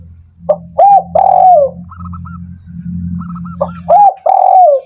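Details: Spotted dove calling to provoke doves that are reluctant to sing: two hoarse phrases, a quick note, an arched coo and a long sliding-down coo, over a steady low hum with light high chirps.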